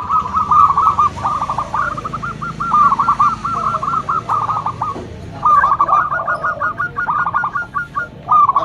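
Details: Loud local zebra dove lure song, long sequences of rapid, evenly spaced cooing notes, a short pause near the middle, then further rippling phrases over light hiss.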